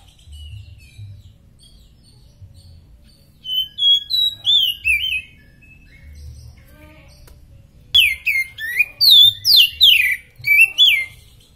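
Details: Oriental magpie-robin (kacer) in superfit condition, recorded as a masteran tutor song: two bursts of loud, varied whistled phrases, sweeping and slurred notes sliding down, separated by a quiet pause with low background hum.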